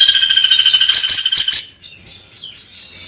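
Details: Bearded bulbul (cucak jenggot) singing in a lively, chattering way in the harsh rasping 'beset kasar' style: a dense, buzzy, grating burst with stacked tones for under two seconds, then faint scattered chirps.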